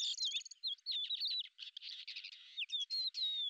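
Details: Lesser grey shrike, a hunting bird, gives a busy warbled medley of squeaky whistles, buzzy notes and rapid chips, with brief pauses between bursts and a clear slurred whistle near the end.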